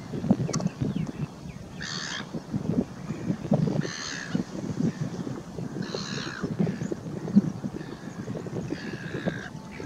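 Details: Pied stilt, also known as white-headed stilt, a shorebird recorded on 28 July 2019: harsh, nasal yelping calls repeated roughly every two seconds over a continuous low wind-like rumble.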